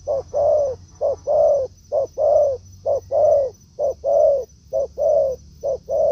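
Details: Forest encounter between a trained decoy spotted dove and a wild one; loud husky coos in regular pairs, a clipped note followed by a drawn-out one roughly every second, over a constant thin high-pitched hum.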